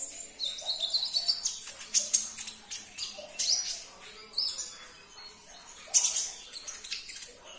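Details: An olive-backed sunbird gives a rapid, very high, thin twittering song of sharp chirps and short rising trills, run together almost without pause. The song is played to provoke a silent kept sunbird into responding.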